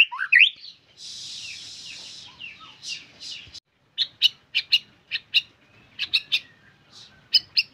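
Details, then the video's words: White-rumped shama in full song: a rising slur and a hissing rasp, then a quieter series of sharp, high, clicking chip notes spaced irregularly. "Murai Gacor Full Durasi"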